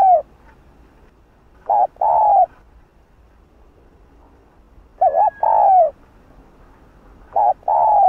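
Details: Spotted dove calling to rouse rival doves: paired phrases of a short hooked note and a longer mellow coo, three phrases spaced roughly every two and a half to three seconds.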